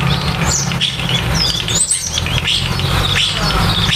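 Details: Starlings at the nest during nest building chatter in a jumble of squeaky whistles, clicks and short slurred notes, almost without pause, over a steady low rumble.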